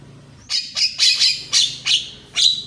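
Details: Javan myna in the morning, a recording for training birds that sing little: a run of seven loud, harsh, buzzy squawks spaced about a third of a second apart.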